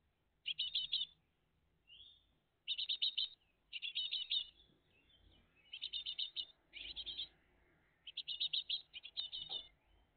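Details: Great tit family at the nest, early morning, 20 June 2023: regular bursts of high, buzzy chattering chirps about every second or two, with soft thin notes and faint knocks between.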